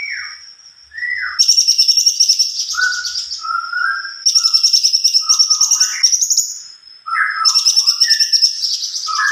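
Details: Greater green leafbird in long rolling song: three bursts of fast, high, pulsing chatter over a constant thin whistle, mixed with lower slurred whistled notes between the bursts.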